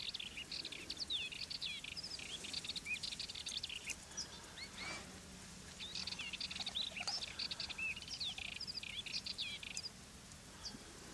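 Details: Wild European goldfinch singing from fennel plants where it comes to feed, in the Garraf Massif, Catalonia; a long run of rapid high tinkling twitters and liquid slurred notes, with brief pauses, over faint background noise.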